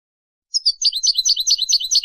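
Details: Goldfinch chick-teaching song: high, bright twittering notes delivered in a quick, even, rolling stream after half a second of quiet.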